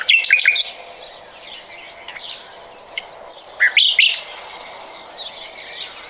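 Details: Common nightingale in 2020, delivering a quick clicking burst, then a pure high whistle, then another cluster of sharp chirps, with soft background twitters between phrases.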